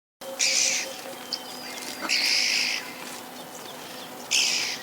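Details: Red-billed oxpecker giving three harsh, hissing, buzzy calls about half a second long, separated by irregular gaps of one to two seconds, with faint thin whistles and light background hiss between them.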